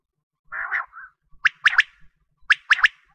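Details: Quail calling, a sound for wheat-season hunting: a low rasping double note, then two sharp phrases of three quick, bright, clipped syllables about a second apart, against a silent background.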